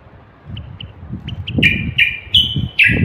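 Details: Common bulbul (Moroccan bulbul) of North Africa singing: short clear whistled notes, then louder slurred whistles in a rising series, with low rumbling background noise throughout.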